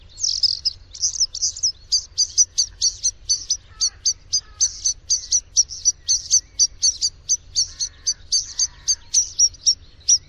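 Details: Bluethroat singing: a few warbled opening phrases, then a long, fast run of sharp, high, ticking notes repeated several times a second, with a faint lower twitter in the background.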